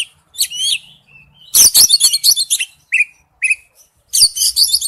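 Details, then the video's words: Oriental magpie-robin song for luring, used as a ringtone: high whistled phrases and chatter mixed with sharp clicking bursts, plus two short rising whistles repeated half a second apart. "Nhạc chuông tiếng chim chích chòe than mồi"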